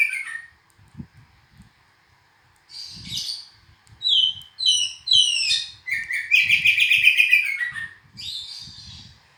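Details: An oriental magpie-robin delivers bursts of sweet, high whistles and scratchy chattering notes, ending in a quick run of repeated trilled phrases, with soft low thumps in the background.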